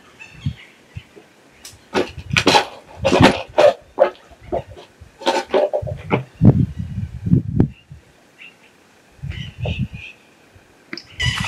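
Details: A pair of blue-winged macaws flying around a foothill in the Bahian sertão gives harsh, grating screeches in short bursts, several in quick succession, then a pause before more; low handling rumble and a man speaking.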